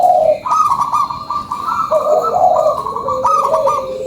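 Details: Zebra dove of the local type giving a lure song: long rippling trilled coos, with higher and lower bubbling notes overlapping almost continuously.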